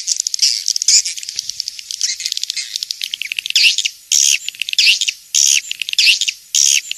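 Swiftlets chatter in dense, high, buzzy twitters, with sharper bursts of chirping coming roughly every second; nothing else is heard.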